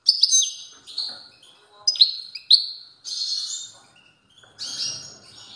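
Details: European goldfinch in strong song, repeating short high twittering phrases with sharp chirps and twangy descending notes, then a buzzy trill. Faint low background sound near the end.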